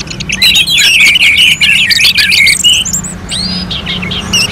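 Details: Orange-headed thrush song used as contest-style training audio: after a quiet start, a loud burst of quick jumbled whistles and harsh chirps, easing into scattered higher whistled notes over a low hum.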